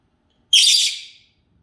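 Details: Senegal parrot at dinner, giving one loud, harsh, noisy squawk lasting under a second that fades out toward the end, with quiet surroundings before and after.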